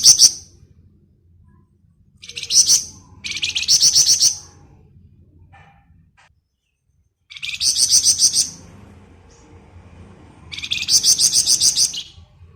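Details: Flamboyan singing 'ngebren', a dense rapid chatter meant as a lure. Several separate bursts of high, buzzy trilled notes, each lasting about a second, come at irregular intervals over a low background hum.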